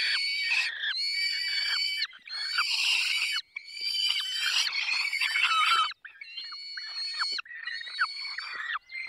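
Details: Insistent screeching squawks from a peregrine falcon while feeding in the Barycz Valley, 20 May 2021 at 10:22, delivered in about seven long, harsh bursts.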